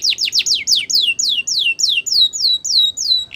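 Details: Border canary training song: a series of high, clear notes, each sweeping steeply downward, repeated about four times per second and gradually slowing, bright and ringing with no other sounds.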